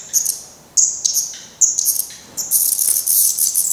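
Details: At a Portuguese black redstart nest, downy-headed fledglings still being fed by parents after first flight attempts give shrill, high squeaky calls in clustered bursts. The calls build into a dense, continuous chatter near the end.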